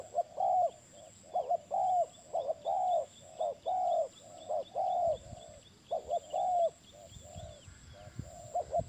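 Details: Rapid series of spotted dove coos: short paired notes alternating with longer, rounded hoots, repeated many times over nine seconds. A soft, steady high hiss and a few low thumps sit underneath.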